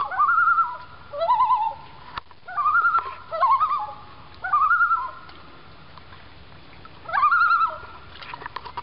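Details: Common loons, a pair passing along a lake in Maine, call back and forth in rapid quavering phrases. Each phrase starts with a short upslurred note, then a laughing tremolo, repeated about every two seconds with quiet gaps between.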